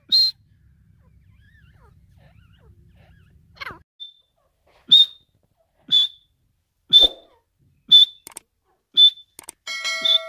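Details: An Iranian partridge (Irani teetar) gives short, sharp, high whistled notes, one about every second; a brief electronic tone sounds at the very end.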